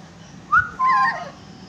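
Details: Yellow-beaked lory giving two short calls: a brief whistled note sliding upward, then a longer, steadier squawking tone with a drooping tail, over low background hiss.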